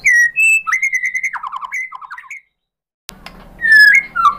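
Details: Shama song played as a lure for other murai batu to reply: clear sustained whistles and quick falling chatters, a brief silence, then loud rich whistled notes over faint hum.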